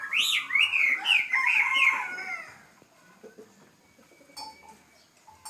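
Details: Kept pet bird singing: a loud run of clear, harmonic, rising-and-falling whistled notes for about two seconds, then fading into quiet scattered clicks and faint rustling.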